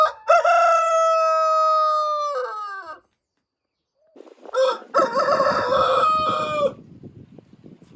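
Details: Rooster crowing: a long sustained crow ending with falling notes, then a second crow with a stammered start over background rustling and noise that continues after it ends.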